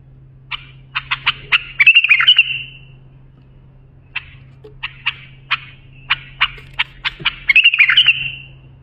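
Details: Bulbul lisanat for training young bulbuls: quickening clicky notes rolling into a fluid warbled trill, a gap, then spaced clicks building again into a second warbled trill, over a faint low hum.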